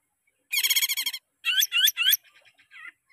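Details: Greater green leafbird song used as a training lure for caged birds: a rapid harsh trill, then three loud swooping buzzy notes, followed by softer chattering notes.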